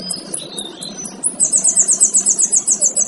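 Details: Male kinoy training song for other birds: a few scattered high chirps and whistles, then a fast, even, buzzy trill of very high notes, about four per second.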